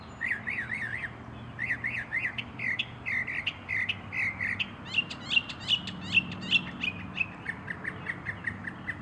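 Northern mockingbird singing a varied run of phrases, first several repeated wavering chirrups, then sharp repeated notes and downslurred whistles at a quick, shifting pace.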